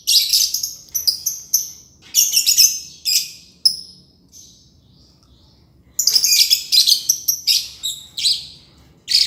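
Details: Green lovebird giving its long trilling ngekek song: bursts of shrill, high, chattering squeaks in quick runs, a pause of about two seconds, then another fast, shrill series.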